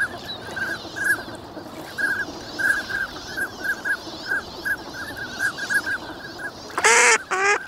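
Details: Crowd of migrant ducks wintering at Nagahama on Lake Inawashiro, Japan, calling on a fine morning: repeated short whistles in bursts roughly every half second, then a loud, harsh, harmonic honk near the end.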